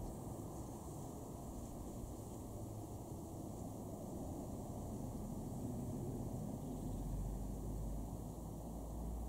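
Steady low rumble of passing vehicle or aircraft noise fills the recording, with a faint hiss above and no calls or song from any animal.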